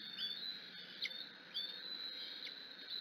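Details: Decorah bald eagle eaglet, hungry and excited at its mother's arrival, giving high thin screeches that slide up and down, a few in quick succession over constant hiss.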